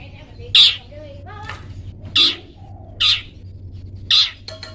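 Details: Long-tailed shrike 'toet toet' tutor material for pet songbirds: four loud, rasping bursts spaced about a second apart, faint softer chirps between them, low hum throughout.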